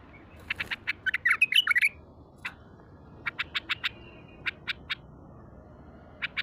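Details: A raw, untrained, heavy-voiced bulbul in Baghdad opens with a quick, tumbling phrase of fluty notes, then gives bright clipped chirps in short runs of three to five, separated by brief pauses.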